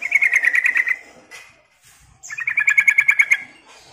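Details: Sooty-headed bulbul lure call: two quick runs of about a dozen sharp, evenly spaced chattering notes each, separated by a short pause, over a quiet background.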